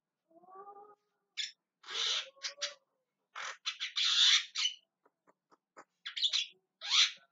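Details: Javan myna (jalak kebo) calling: a soft low whistled note, then bursts of loud, noisy rasping squawks and clicks, ending with a couple of sharp harsh calls.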